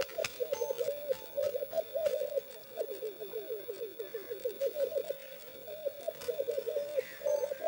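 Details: Black grouse males in courtship display and fighting at the lek for a female: long, continuous low bubbling coos in rapid pulsed runs, with a few faint clicks and distant hisses.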